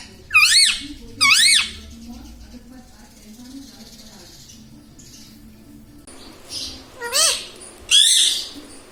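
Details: Indian ringneck parakeet kept as a talking pet that says mummy, papa and radhe radhe: two loud wavering speech-like phrases open, then a quiet room, then two more shrill warbled utterances near the end.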